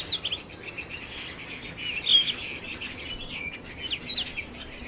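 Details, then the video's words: Singing canaries give thin, fast chirps and warbled notes in loose bursts about twice a second, with a louder twittering phrase near the middle over faint background hiss. "Canary Singing"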